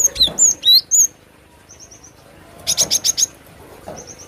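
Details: Cinereous tit, locally called glatik batu, singing in natural voice: high whistled slurred notes, then short rapid buzzy pulses in a quick series, and a thin repeated high note.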